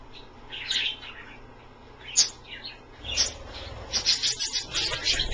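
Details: Several captive Australian parrots at a water dish during bath time chatter in squeaky high chirps. The chirps are scattered at first, then grow denser and busier toward the end over a low background rumble.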